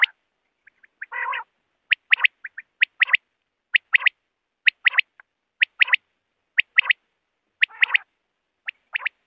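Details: Common quail call used as a night lure for quail hunting: sharp, liquid three-note phrases about once a second, opening with a soft buzzy note. Nothing else is heard.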